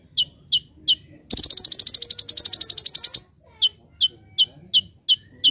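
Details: Brown-throated sunbird, training master song in 'tembakan' style: three sharp chips, a loud dry buzzing rattle of about two seconds, then more spaced, piercing chip notes.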